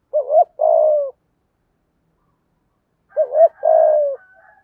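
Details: Decoy spotted dove cooing to lure and provoke wild doves: two rounded, low, mellow coo phrases, each a short wavering note and then a longer falling one, separated by a pause of about two seconds, with no other sounds.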